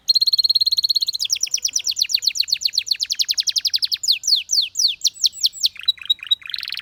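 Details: Canary singing: a steady rapid high trill opens, followed by long runs of quick descending chirps, a faster rolling section and a closing buzzy flourish.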